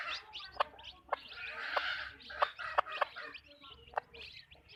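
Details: Flock of backyard hens clucking: sharp, separate clucks roughly every half second, overlaid on a rough, noisy chatter from several birds and continuous thin chirping in the background.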